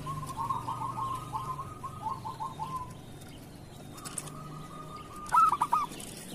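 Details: Local zebra dove, kerot song, for training other doves: soft bubbling trill phrases, a quiet gap, then a faint trill ending in a loud stammered coo burst; constant background hiss.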